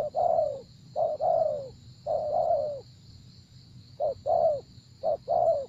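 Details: Repeated coo phrases of a spotted dove, each a quick short note then a drawn-out falling coo, roughly once a second, backed by a steady electrical-sounding whine.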